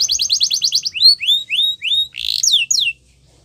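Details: Training song of a Yorkshire canary for young birds, opening with a fast run of repeated notes, then spaced rising-falling whistles and a brief harsh burst before ending in silence.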